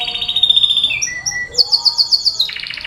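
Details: A canary's lure song for getting other canaries singing: a steady high trill drops into lower whistled notes, then a sharp, very high rapid trill, ending in a mid-pitched rattle.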